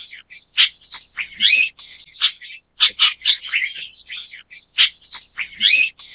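Chestnut-tailed Starling giving harsh, squeaky chirps and chattering notes in an uneven run.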